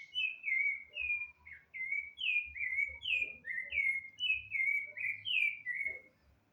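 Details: A rufous-bellied thrush sings a continuous series of rich whistled phrases, each slurred note dropping or rising slightly, delivered at a lively, fairly even pace with brief gaps and soft low background noise.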